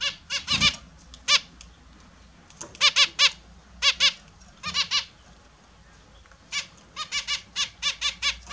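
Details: Several nasal, trumpet-like calls from captive Australian zebra finches during a morning bath, coming in quick clusters of two to five separated by short pauses, with a soft splash near the start.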